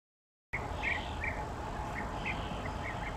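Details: European bee-eaters at a breeding colony in a sand pit at Weiden am See, Austria, on 7 July 2023; short rolling calls from several birds repeat rapidly and overlap above a steady broadband rushing noise.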